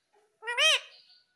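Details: Single loud harsh screech from a pet ringneck parrot, rising then falling, preceded by a faint soft note.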